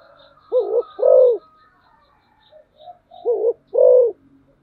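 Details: Decoy spotted dove cooing: two paired phrases of low hollow notes, each a short coo then a longer rounded one, with quiet murmured notes between them.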